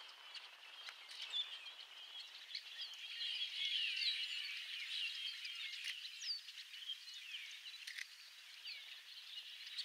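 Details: On the Napa wetlands in California, a large murmurating flock of red-winged blackbirds makes a dense, unbroken chatter of high chips, whistles and squeaky notes, with a soft rush of background noise.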